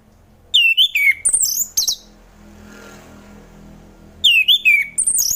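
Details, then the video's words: Relaxed ngeplong song of an orange-headed thrush, meant to prompt lazy thrushes to sing: two bright phrases of falling, wavering whistles mixed with scratchy high notes, separated by a quiet gap of about two seconds. "Kicauan Anis Merah || Ngeplong Santai"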